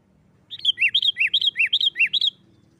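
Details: Sooty-headed bulbul in loud, fired-up "nggaruda" fighting-style song, used to provoke other bulbuls into singing: a rapid chattering run of about twelve notes alternating high bright whistles with lower downslurred notes, lasting under two seconds.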